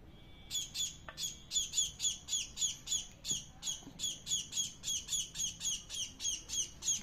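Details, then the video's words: Hungry bird fed chapati by hand, giving a long steady run of harsh, buzzy begging squawks, roughly three to four per second, each with a high overtone, with a faint thump in the background. "bahut bhookh lagi hai"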